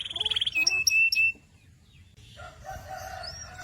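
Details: Canary chirping: a fast rattled trill, then a few sustained pure whistled notes with sharp upper overtones, followed by a quieter stretch of softer, warbled phrases in the background.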